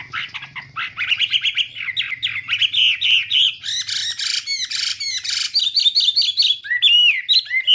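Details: Chinese hwamei with a varied song that mixes clear whistled slurs, harsh buzzy bursts in the middle, and sharp upswept whistles at the close, over a low background hum.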